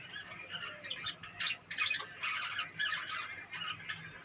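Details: From a budgerigar colony come harsh, buzzy squawks and chatter, repeated roughly every half second in rough, irregular bursts, with a constant low hum underneath.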